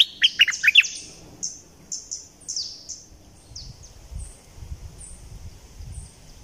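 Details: Southern Thai bulbul, a recording for exciting trapping birds: a brisk phrase of bright, bouncing notes opens the clip, then fainter high thin calls sound at intervals over low rumbling noise.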